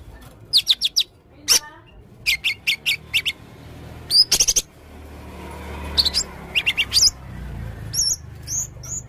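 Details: Red-necked blue-crowned hanging parrot singing energetically with varied material: short sharp high-pitched chirps in quick groups, scattered squeaky notes and thin rising whistles, separated by brief pauses over low background noise.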